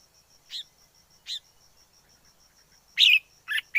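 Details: Wild forest red-whiskered bulbul: two soft chirps, then a louder burst of three quick warbled notes near the end, over a faint steady ticking tone.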